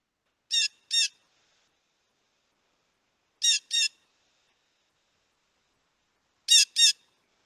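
Blue Jay giving harsh, scratchy 'jay' calls in quick pairs, each pair about three seconds apart, with no other sounds.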